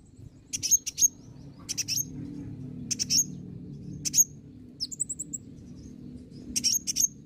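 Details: Olive-backed sunbird, locally called kolibri ninja, in a lure recording meant to draw birds to answer: sharp, very high chirps in short bursts about once a second, over a low steady background hum.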